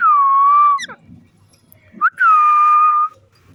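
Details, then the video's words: Green parrot at play, interacting with its owner. Two long steady whistles, each slightly dipping then level, separated by a quiet gap with faint rustling and a quick rising note before the second. "Beautiful Green Parrot Playing & Making Stunning Sounds"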